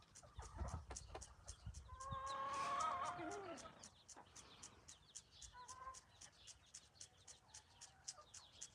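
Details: Hen out on a morning stroll with her chicks, giving soft clucks and short tonal calls around the middle, with a steady fast ticking of insects or chick peeps running throughout.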